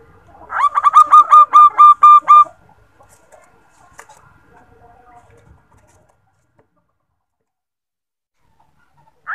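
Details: Female zebra dove calling to the male, played as a lure to draw a reply: a quick run of about ten clipped, even cooing notes in two seconds, then near silence with faint rustling.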